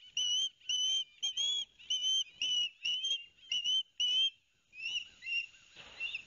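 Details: Two young ospreys on a live-cam nest at Barnegat Light, New Jersey, 13 September 2021, clamouring while the father delivers fish. About eight loud, short whistled notes in sequence, then softer, rougher sounds.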